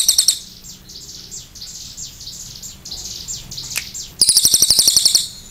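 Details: Cililin: soft high swept chirps fill most of the recording, then a loud, rapid high-pitched trill of clipped repeated notes bursts in near the end.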